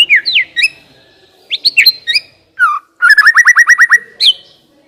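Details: White-rumped shama song used as a lure to get a shama singing: varied whistled and slurred notes, then a fast run of about ten sharp repeated chips, ending in a falling whistle.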